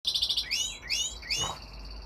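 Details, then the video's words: Young male red factor canary singing to impress his brothers and father: a fast buzzy high trill, then three bright upward-sweeping whistled notes in quick succession, with a soft low hum underneath. "Singing canary"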